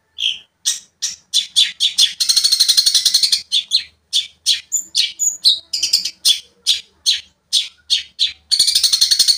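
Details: Long-tailed shrike, or cendet, in full song meant to provoke a rival shrike: fast series of sharp chattering notes broken by two long harsh buzzing rasps, with a few whistled squeaks in between.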